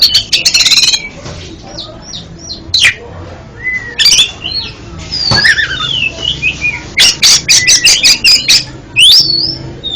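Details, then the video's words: Oriental magpie-robin (kacer) song played as therapy for a kacer that stutters: loud, varied whistled notes and sliding phrases mixed with harsh raspy bursts and rapid clicking rattles, delivered in clustered bouts across the recording. "MANTAB BUAT TERAPI KACER ANDA YANG GAGAP BUNYI JADI JOSS KICAUANNYA"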